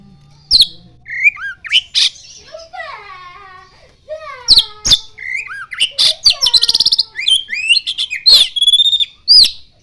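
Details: Oriental magpie-robin in full song, its repertoire filled with common iora mimicry: loud sharp clicks and rasps mixed with falling whistled slurs and a stuttering buzzy rattle, bursting out in fast irregular phrases.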